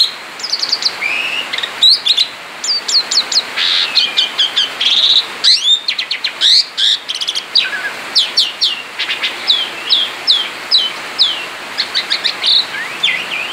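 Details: Male Asian pied starling singing gacor ngerol outside the cage: long unbroken sequence of sharp chirps, clicks and short whistled slurs, rhythmic bursts several per second throughout.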